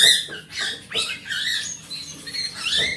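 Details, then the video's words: Wild oriental magpie-robin singing, used to draw a silent magpie-robin into song: a quick string of slurred whistles and falling and rising notes, continuous and fairly loud. "Suara Master Burung Kacer"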